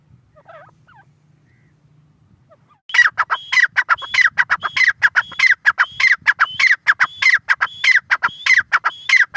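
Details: After nearly three seconds of near-quiet, a grey francolin bursts into its loud repetitive call, strident clipped notes topped by short high whistles in a steady fast rhythm.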